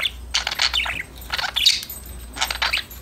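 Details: Budgerigars chirping while playing, three short bursts of harsh, scratchy chatter about a second apart, each a cluster of rapid squawky notes, with low background hum.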